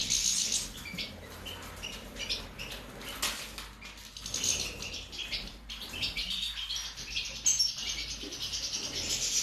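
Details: European goldfinch of the subspecies major, recorded in 2019: rapid, tinkling high-pitched twittering and trills in a dense run of short notes, with brighter bursts near the start and end over a steady low background hum.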